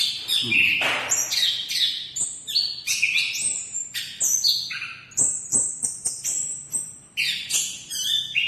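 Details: Song of an orange-headed thrush, known locally as anis kembang and described as very vigorous: loud overlapping whistles at varied pitches, some long and level, others rising or falling, delivered continuously with little pause.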